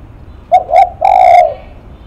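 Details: Spotted dove cooing close by: a short clipped note, a slightly longer hoot, then one long, steady, low hooting note.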